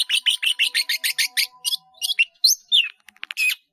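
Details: Long-tailed shrike singing a rich, varied medley: a run of quick harsh chirps, then scattered whistled and slurred notes and a few rapid clicks, all high-pitched and loud.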